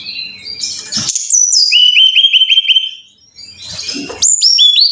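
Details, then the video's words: Brown-chested jungle flycatcher song for training caged birds: a buzzy opening, then a steady run of about six short clear whistles repeated quickly on one pitch, a brief gap, and more ringing high notes. "Pancingan Masteran Suara Burung (SIKATAN RIMBA DADA COKLAT)"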